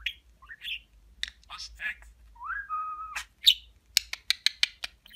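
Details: Pet budgerigar that mimics Turkish words like babacık and aşkım: garbled speech-like chirps, then a clear rising-and-level whistled note, followed by a rapid series of sharp clicks.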